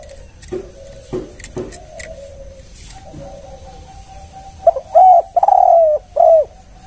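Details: Lure recording of a spotted dove in the one-kuk style. Faint murmurs and clicks come first, then a clear phrase of a brief stutter, a rising coo, a drawn-out coo and a dropping final coo.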